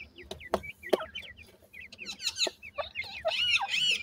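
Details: Grey francolin chicks giving rapid, short hooked peeps, high and thin, in quick uneven runs, with a few louder sharp notes and clicks mixed in and some fuller slurred calls near the end.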